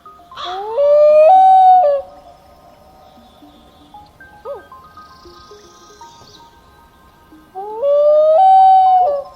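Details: Common Loon, heard on a lakeshore in the morning, giving two long, mournful calls that rise and then hold steady, about seven seconds apart, over soft background music; loons use these calls to communicate across wide lakes.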